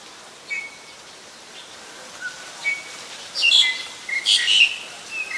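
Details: Black-collared starling in Ubon Ratchathani, Thailand, on 25 December 2019; scattered thin whistles first, then two strong bursts of scratchy, metallic squeaking chatter near the end.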